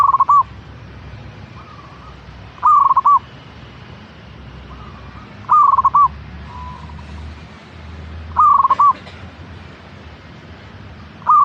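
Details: Repeated song of a local zebra dove (perkutut): four loud, mellow, trilled coo phrases about every two and a half to three seconds, with quieter coo phrases in the gaps and a low rumble.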